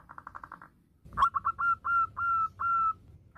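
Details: Female zebra dove calling for the male. A fast soft run of short notes is followed by a click, then louder drawn-out whistled coos that lengthen and level off, over faint low rumble.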